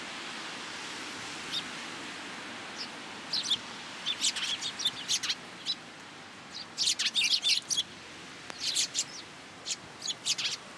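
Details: Sparrows arriving on cherry branches at a shrine to take food on a rainy March day in 2023; quiet at first, then dense clusters of bright high chirping from several birds, rain hiss underneath.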